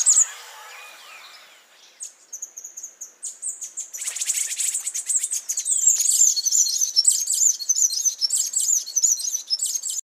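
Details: Scrub tanager (Stilpnia vitriolina) song: a brief high note, then scattered thin chips building into a dense, rapid stream of very high, tinkling twitters over the last six seconds.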